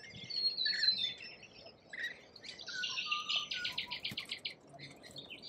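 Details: Shrill, whistled squeaks and buzzy notes from lorikeets in Australia, followed by a quick, even train of about a dozen short rasping pulses before the chatter resumes.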